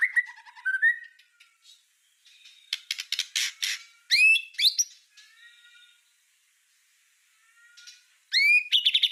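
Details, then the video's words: White-rumped shama, or murai batu, giving 'full tembakan' master song for tutoring: mixed whistles and harsh rasping bursts with quiet gaps, loud upslurred notes midway, and a fast rattling burst near the end. "Suara Masteran Murai Batu Full Tembakan"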